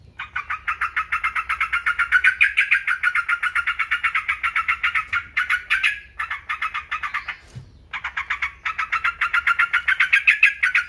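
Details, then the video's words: Yellow-vented bulbul, used as a tutor and trigger recording to stir caged birds into singing: a dense, continuous chatter of short bright notes, roughly three to four per second, with a short break near the middle. "TRUCUKAN,, super ISTIMEWA cocok untuk masteran pancingan PERANGSANG GACOR"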